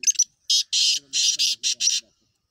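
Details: Black francolin giving a loud phrase of about six rasping, broadband notes close together after a few short clipped notes, with faint low tonal sounds beneath.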